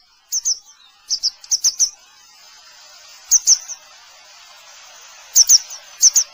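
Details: Grey wagtail calling: sharp, high, thin 'tzit' notes given singly or in quick pairs and triplets, in short bursts separated by pauses of about a second or more, over a quiet background.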